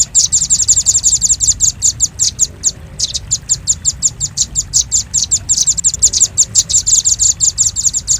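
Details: Velvet-fronted nuthatch (red-billed rambatan) lure recording used by bird trappers: rapid bursts of sharp, high, thin chips, about three per second, in fast runs with brief pauses; a low steady hum underneath.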